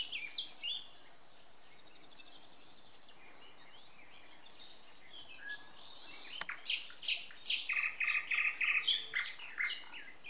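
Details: Morning bird chorus in May 2020 in Samara Oblast, Russia; faint chirping at first, then louder singing with a series of rapid repeated trilled phrases in the second half.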